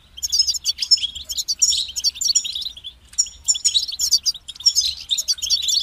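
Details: Goldfinch song meant to motivate singing: dense, rapid twittering with tinkling notes and buzzy trills, two long phrases split by a brief pause near the middle.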